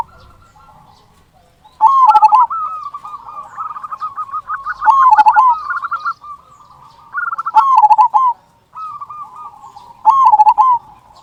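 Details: Local zebra dove in strong voice, its loud deep "kung" song used as a lure to stir other zebra doves into singing: rolling cooing phrases near one pitch, bursts roughly every two to three seconds with softer cooing between.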